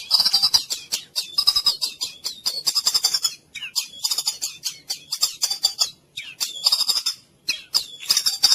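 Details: White-rumped shama (murai batu) song used as therapy for silent, sluggish birds: dense bursts of high, buzzy and chattering notes packed with rapid trills, broken by brief pauses, with no other sounds.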